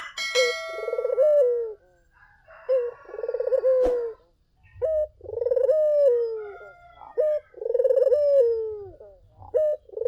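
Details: Persistent gacor cooing of a collared dove used as a lure: deep pulsed coos with clipped opening notes, repeated at a steady pace, with a brief high tone at the start and a low rumble in the background.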